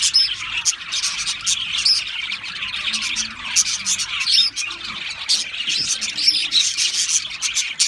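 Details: Australian parrots, several birds together, keeping up a dense, continuous chorus of high, scratchy chirps and twitters with short bright whistled notes scattered through it, steady throughout with no other sounds standing out.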